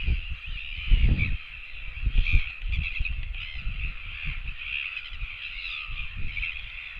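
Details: Begging royal albatross chicks asking for food, recorded by a webcam on 17 September 2024: a steady stream of coarse, nasal calls with slight pitch wobbles, backed by heavy buffeting low noise throughout.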